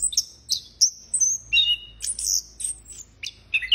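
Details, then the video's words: Orange-headed thrush in full voice, mixing very high thin whistles held briefly with lower sliding notes and quick chirps, the phrases following closely in a lively, ringing sequence. "Burung Anis Kembang Gocor Banget"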